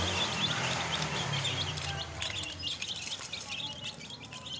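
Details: A group of new chicks cheeps quickly, several high, short peeps each second. A low hum runs underneath at first, then fades.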